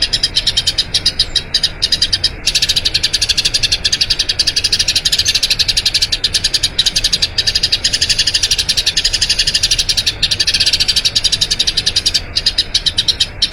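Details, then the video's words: Long rolling song of a Eurasian tree sparrow, used as training audio for other birds: a dense, nearly unbroken stream of rapid high chirps lasting over thirteen seconds, with only a few brief breaks. "Masteran Burung Gereja Ngerol Panjang"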